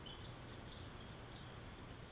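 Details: Thin, very high squeaky notes from active, jostling Grey Fantail hatchlings as their parents feed them, coming in short uneven bursts over a soft low background hum.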